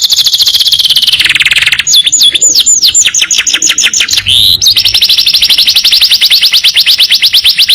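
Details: Canary master training song featuring long trills: a dense, rapid buzzy trill, then a run of downslurred whistled notes and a quick rising sweep, ending in a long, fast, even trill.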